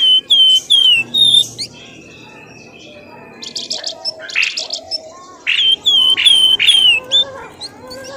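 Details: Lure call for drawing birds from thick scrub: loud descending whistles, a long steady thin tone, then chattering bursts and more falling whistles.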